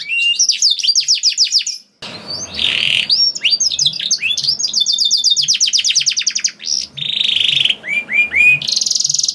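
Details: Lure song of a canary, used to make other canaries sing: rapid trilled phrases, a pause, then varied rolls, buzzy notes and upslurred whistles, with faint low background noise.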